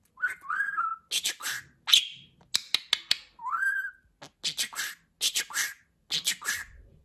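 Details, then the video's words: Budgerigar kept as a pet, really talking: raspy chattered syllables alternate with short swooping whistles and a few crisp clicks, grouped in bursts about a second apart. "Konuşan Muhabbet Kuşu"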